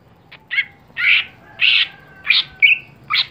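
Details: Greater green leafbird, caged contest bird, uttering broad, scratchy squawk-like notes about every half to three-quarters of a second, one ending in a thin level whistle.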